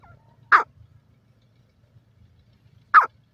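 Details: Two abrupt, rasping single notes from a grey francolin, spaced roughly two and a half seconds apart over a quiet background with a low rumble.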